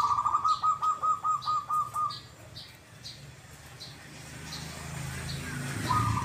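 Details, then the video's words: Zebra dove, a perkutut kept for its doubled "kuk, kuk" song, giving a two-second run of about ten rapid pulsed coo beats, then quiet with a faint coo near the end and high chirps from other birds. "PERKUTUT YANG SUARANYA KUK, KUK /KUK 2 / ( DUA) KALI."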